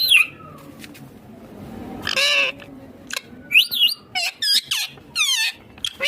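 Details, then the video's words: Rose-ringed parakeet, a ringneck green parrot said to be talking: a sharp squawk, then a burst of harsh broadband chatter and several quick, rising and falling whistled chirps with short gaps between them. "Ringneck Green parrot Talking Natural Sounds"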